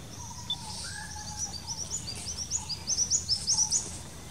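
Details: Bar-winged flycatcher-shrike calling in a bamboo patch in the Dangs, India: a quick run of high, sharp chipping notes that grow louder toward the end, over softer lower whistles from other birds and steady background hiss.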